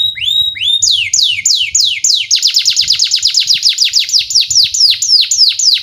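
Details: Canary song played to train young canaries: a couple of upward whistles, then a long, accelerating series of sharply descending notes forming a fast rolling trill, faint low rumble behind.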